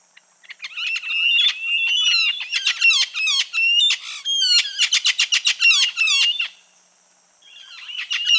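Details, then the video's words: Red-fan parrot (Deroptyus accipitrinus) gives quick bursts of harsh, chattering, squealing notes, falls silent briefly near the end, then starts again. "Som de Anacã / Deroptyus accipitrinus"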